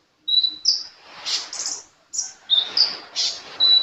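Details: Sunbird singing actively: high, sharp whistled notes alternating with short hissy, buzzy chirps, ending on a clear sustained thin tone.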